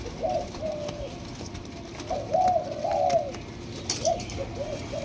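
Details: Spotted dove of Malaysian line, two months old and captive-bred, cooing in mellow hollow notes grouped into short phrases of two or three, the middle phrase longer and swelling, over a steady low background hiss.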